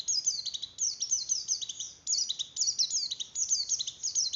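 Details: Breeding-condition song of a Javan grey-throated white-eye, intended to stimulate other white-eyes: quick, high, sweeping downslurred chirps repeated in tight phrases about every half second, over a steady low rumble of background noise.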